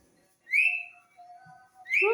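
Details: Green talking parrot whistling: a loud rising whistle that levels off and fades over half a second, a quiet lower warble, then a harsher, harmonic-rich squawk at the end. A faint steady tone sits underneath.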